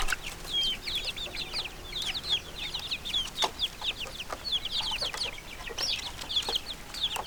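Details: Young chickens peeping loudly in a group, quick high downward-sliding cheeps packed closely, interrupted by scattered taps and scratching sounds.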